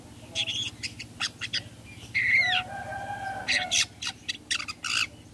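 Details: Long-tailed shrike calling in the 'toet toet' style used to lure other shrikes into replying. Clusters of short, rasping notes surround a slurred, falling, whistled phrase, over a steady electrical hum.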